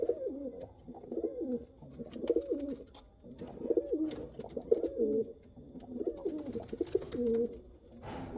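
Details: Domestic pigeons of the kal cheeni and Rampuri breeds cooing; low throaty rolling coos in repeated phrases with wavering pitch, close up, with faint clicks and shuffling in the background.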